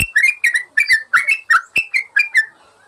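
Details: Master song of a yellow-vented bulbul for training caged birds: a rapid series of about nine bubbly, liquid whistled notes, each quickly rising then dropping, before a soft fade.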